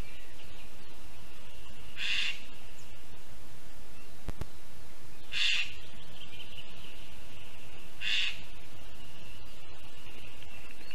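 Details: Lesser spotted eagles at a nest in a spruce in Zemgale, Latvia, at 10:15 a.m. on 30 June 2022, during prey deliveries of a mouse and a frog. Three short, harsh calls spaced about three seconds apart rise over a steady hiss.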